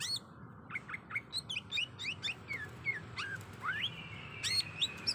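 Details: Female greater green leafbird in breeding condition calling a male, giving a continuous stream of varied, swooping whistled notes, many rising or falling sharply, repeated several times per second over a steady background hiss.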